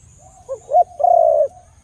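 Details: Khmer dove giving a single strong call, a soft lead-in tone, two short rising hoots, then a long even coo that fades gently.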